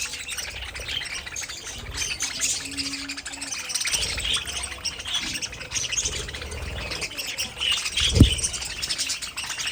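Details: Budgerigars, pet parakeets in an aviary colony, chattering with dense high warbled chirps and squeaks, mixed with low rumbling background noise and a sharp thump near the end.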